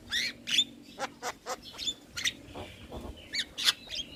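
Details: Young starling on a training song for coaxing reluctant starlings into frequent singing; short harsh squawks and clicks repeat roughly every third of a second, with a brief whistled note near the end.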